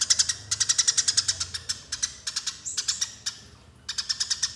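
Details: Eurasian tree sparrow fighting call, played as a lure: rapid bursts of harsh, buzzy chirps repeated about ten times a second, broken by short pauses and a few brief sliding notes.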